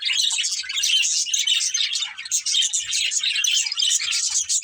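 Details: Several pet budgerigars of one family keep up steady, overlapping high chirps and scratchy warbling chatter, almost without a break throughout.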